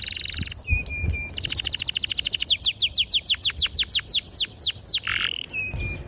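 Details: Canary in clear, sharp song used to lure beginner canaries into singing: a high buzzy trill, short chips, then a long accelerating run of falling whistled notes ending in a harsh burst.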